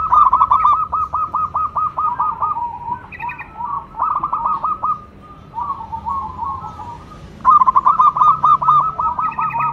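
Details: Local zebra dove singing vigorously: rapid runs of low, mellow hooting notes, rolling and trilled, in bursts separated by quieter stretches, a fresh loud burst starting near the end.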